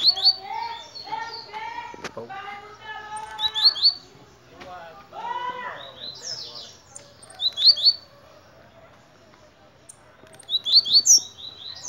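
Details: Human speech for the first few seconds, then a blue-black grassquit delivers several brief, high, buzzy rising phrases at intervals of about three seconds.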